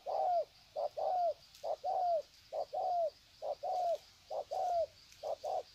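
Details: Spotted doves greeting each other in the wild at Sê San, 21 February 2020: rhythmic pairs of a brief coo and a longer coo that bends downward, repeated about once a second, over a soft high insect whine.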